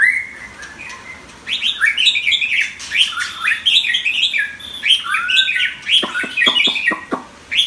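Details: Caged white-rumped shama, an eight-inch competition bird, pouring out a rich, rapid song of varied whistles, slurs and trills, opening with a rising whistled phrase and ending with a series of sharp clicking notes.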